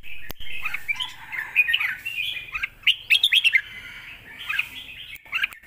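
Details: Red-whiskered bulbul kept in a cage, delivering a forceful 'lak wai' song and complete master phrases meant to tutor young birds: quick rising and falling whistled notes, sharp chirps, brief gaps between phrases.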